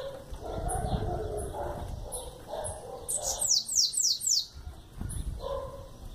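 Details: Young sayaca tanager, 11 months old, giving its chow call: a quick series of five high, thin notes, each sliding downward, after scattered soft chirps, with mid-pitched barking-like noises and rumbling in the background.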